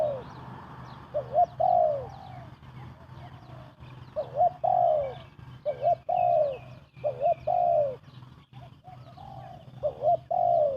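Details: Rapid cooing by a spotted dove used to lure birds into a trap: repeated phrases of a quick up-flicked note and a longer falling coo, roughly every one to two seconds, over a low steady hum.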